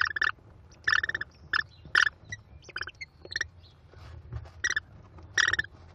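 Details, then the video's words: American kestrel female feeding five hungry chicks at a nest, chicks calling with harsh, buzzy bursts in quick uneven runs, several overlapping, with low background rumble. "Mom Working Hard Feeding 5 Hungry Mouths!"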